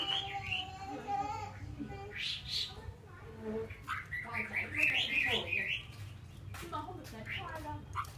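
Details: Caged laughingthrush from Vietnam singing a varied run of whistled and slurred phrases, some rising and falling, with quick chattering trills in the middle and faint room noise.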